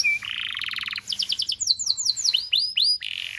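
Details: Domestic canary tutor song for young canaries: a steady whistle, a buzzy mid-pitched trill, a rolled passage, then bright arched notes ending on another buzzy phrase.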